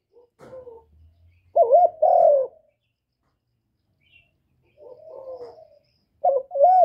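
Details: Spotted dove calling continuously to attract other doves. Faint coos open, then two loud mellow hoots, a quiet muffled coo phrase, and two more loud coos. A brief low hum is heard early on.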